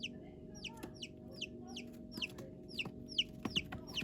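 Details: Newly hatched baby chicks peeping, a run of high, clear, falling cheeps repeated about every half second, with a low steady hum and a few soft taps beneath.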